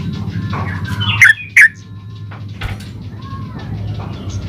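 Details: Yellow-vented bulbul (trucukan) singing in 'gacor ulpik ropel' style, used to lure other bulbuls into replying: two loud, sharp, falling whistled notes in quick succession, then faint softer notes against a constant low rumble.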